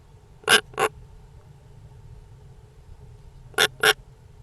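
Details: European rollers giving harsh, rasping double calls, two quick broadband bursts heard twice about three seconds apart, over a faint low background hum.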